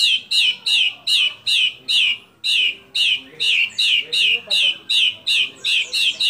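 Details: Energetic white-rumped shama song stuffed with mimicked calls of kapas tembak, cililin, lovebird and canary: a steady series of loud, identical sharp chirps, roughly two to three per second, throughout.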